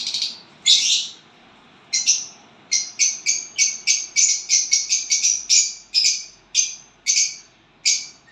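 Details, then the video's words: Chirping violet bird with a new partner: two broad harsh notes open, followed by a long run of short, high, scratchy chirps, about two each second, steady in loudness. "violet bird singing and chirping sounds when you get a partner."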